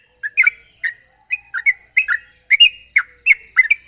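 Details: Sooty-headed bulbul in sharp 'gacor ropel' song, played to coax other bulbuls into singing: short bubbly whistled notes, often doubled, spaced roughly every half second, clear against a quiet background.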